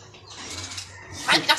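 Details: A talking common hill myna imitating human speech gives two quick, voice-like syllables near the end, harsh and speech-like in tone, after a stretch of low background hum.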